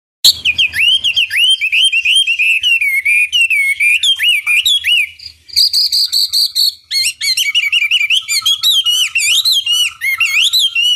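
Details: Chinese hwamei in full lure song meant to provoke rivals into answering: loud, rich whistled phrases rolling between mid and high pitch, fast slurred notes broken by short buzzy trills, delivered almost without pause.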